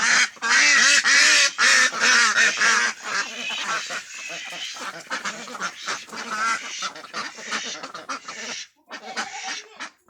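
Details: Ducks on a duck farm in West Bengal, India, raising a loud, dense chorus of harsh quacks, many birds calling together in rapid overlapping bursts, with a fainter stretch of quacking toward the end.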